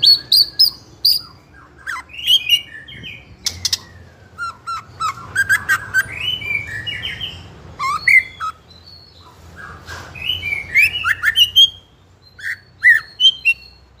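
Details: Young spotted 'trotol' white-rumped shama (murai batu) in continuous 'ngeplong' fighter song, used to provoke rival juveniles to sing. A long stream of varied whistles, rising and falling slurs and clipped high notes with brief pauses.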